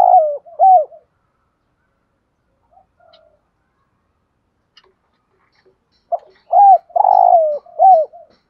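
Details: Spotted dove cooing to provoke wild birds: two short hooting notes, several seconds of near silence, then a loud run of low coos with one long rough note in the middle.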